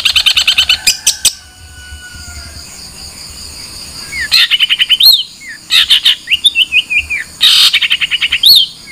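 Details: Song of a long-tailed shrike: a quick chattering run, a quiet stretch with a thin drawn-out whistle, then bursts of harsh notes mixed with short upslurred and wavering whistles.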